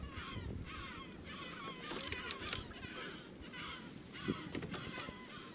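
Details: A subantarctic (brown) skua sits on the water beside a whale-watching boat in swelly seas in False Bay, South Africa. It gives harsh, nasal, gull-like calls in quick overlapping bursts over a rumble of wind and water, with sharp knocks.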